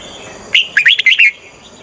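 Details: Red-whiskered bulbul used as a decoy to lure wild birds for trapping, giving one short phrase of quick, bright whistled notes that rise and fall sharply over less than a second.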